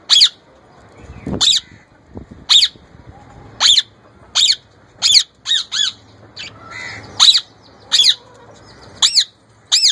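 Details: Young male plum-headed parakeet, kept as a pet, trying to talk and copy an Indian ringneck parrot's voice: sharp, high, squawky notes repeated about once a second, a dozen or so in ten seconds, with faint background rustling.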